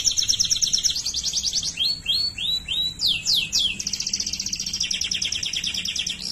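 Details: Rolling trills from a Waterslager canary, followed by a sequence of arched slurred notes and sharp downward sweeps, then a long even trill.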